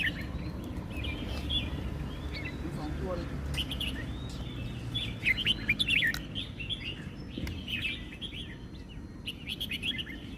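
Red-whiskered bulbuls give bright, bubbly chirped phrases in irregular bursts over steady low rumbling background noise, with several birds seemingly calling at once.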